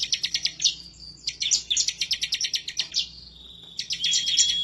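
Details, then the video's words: Bar-winged prinia ('semi' style) in emotional, persistent song aimed at a rival, for tutoring cage birds. Quick staccato high chips run almost continuously, with a thin level whistle near the end. "Ciblek Semi, Gacor nembak ngebren ngotot emosi"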